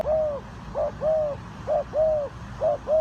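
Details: Spotted dove from Ninh Thuận, associated with bird trapping, calling a rhythmic series of soft, clear, arched coos, short notes paired with longer drawn ones, about three phrases in three seconds.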